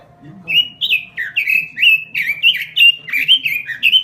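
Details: Continuous robin song for luring and tutoring: a steady series of quick, sharply slurred chirps, each rising then dipping, repeated roughly every quarter second.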